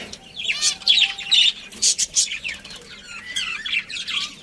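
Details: Budgerigars kept as a colony chirp in short, rapid bursts of squeaky, wavering notes, about two bursts a second, with a faint steady tone underneath.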